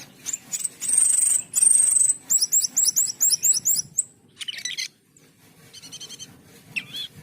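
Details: Asian pied starling song with long high whistles, a rapid rattle of repeated notes, a harsh buzz, and softer trilled phrases, over a low steady hum.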